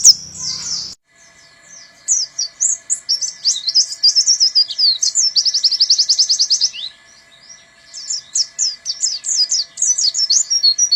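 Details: Buxton's white-eye giving canary-imitating bursts (tembakan kenari): a brief knock at the start, then a high, fast twittering song. The song breaks into a rapid even rattle of repeated notes around the middle, then resumes with varied chirps.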